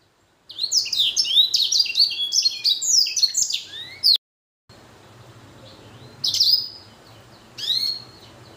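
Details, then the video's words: Hybrid finch, a blackthroat crossed with a canary, singing actively: a long fast run of high, sweeping, warbled notes that stops abruptly. After a short break come two isolated sharp descending chirps over faint low hum. "Blacken Gacor Warna Unik Sekali | Blackthrout x Kenari"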